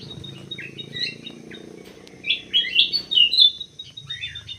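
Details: Munia (emprit sawah) calling with scattered thin chirps at first, then a burst of loud, bright, slurred twitters in the second half, over a steady low hum.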